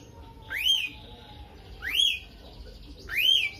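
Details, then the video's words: Lovebird giving its unique starling-influenced song meant to stir other birds: a clear arching whistle, rising then dipping, repeated three times about every one and a half seconds over quiet background hiss. "BURUNGnya LOVEBIRD,suara unik"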